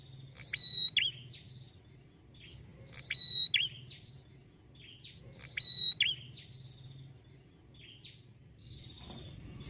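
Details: Red-headed prinia calling in a lure recording to provoke prinias into answering: three rounds of a bright sustained whistle trailed by crisp chirps, spaced about two and a half seconds apart, then a quieter chirp.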